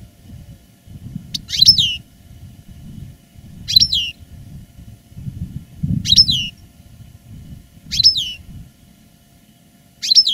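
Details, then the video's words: Caged veteran European goldfinch after its moult, repeating a single sharp descending whistled note about every two seconds, five times, with low rumbling background noise between. "Canto del jilguero "el arrugao""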